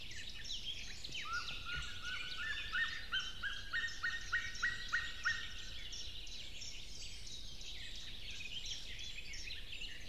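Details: Male white-tailed eagle calling near the nest at dawn on 24 May 2016, a rapid series of high, sharp yelping notes, about three per second, descending in pitch, with a steady broad background hiss.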